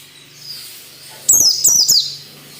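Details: White-eye, training song for captive birds in 'ngalas nembak' style: three bright, falling whistled trills delivered back to back, with a faint low hum underneath.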